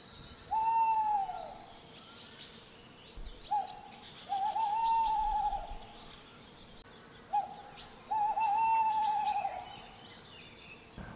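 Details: Male Tawny Owl in the UK at night in mid-November, giving its territorial call: long, wavering, low hoots, about one phrase every three or four seconds, with thin, high songbird notes faintly behind.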